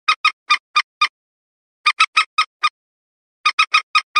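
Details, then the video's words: A Common Moorhen gives harsh, clipped croaking notes in quick bursts of five or six, about four per second, separated by short pauses, with no other sounds. "Suara top burung Mandar batu"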